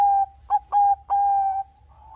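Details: Zebra dove of Bangkok type singing to lure silent doves: long level coos broken by two short clipped notes, ending in a sustained even tone that fades.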